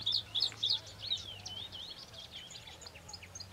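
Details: Bluethroat drawn in by a recording of another's song, defending its territory: a few quick high repeated notes at the start, then a jumble of fainter varied twitters and buzzes with a low steady hum underneath.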